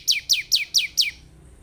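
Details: Five quick, high, downward-sweeping notes from a bar-winged prinia, evenly spaced about every fifth of a second, played as a lure to get a caged bird singing.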